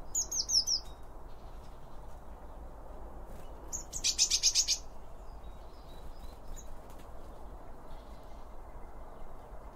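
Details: Blue tits calling at a garden bird feeder alongside other birds: a quick cluster of thin, very high downslurred notes, a pause, then a short buzzy trill near the middle, with faint scattered tweets over soft background hiss.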